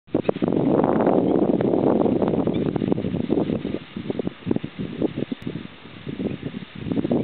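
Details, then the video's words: A jack snipe at Aiguamolls de l'Empordà, Spain, in April 2008, gives muffled, low, rapid knocking pulses, about three or four a second, like distant hoofbeats, over heavy rustling noise. "Jack Snipe Bécassine sourde"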